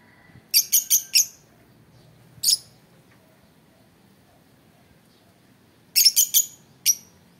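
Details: Lovebird giving sharp, high chirps: a quick run of four near the start, a single one around two and a half seconds, then another fast cluster of four and a final chirp, against a quiet background.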